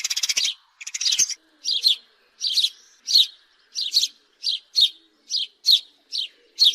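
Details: A house sparrow chirps steadily, opening with two rasping, buzzy notes and then a string of clipped chirps about every half second, harsh and slightly descending.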